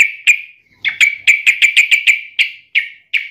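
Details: Yellow-vented bulbul calling at a rival, a rapid run of sharp, bright chip notes, close together in the middle and spacing out toward the end.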